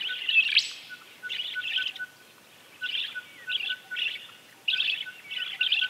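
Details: Common linnet (Linaria cannabina) song in the wild: short twittering, buzzy phrases of quick high notes repeated every second or so, over a thin steady lower piping from another bird.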